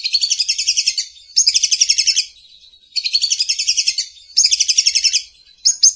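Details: Lovebird singing in the morning, a master and lure song: rapid trilled chattering bursts about a second long, high and buzzy, separated by short pauses, four phrases in a row.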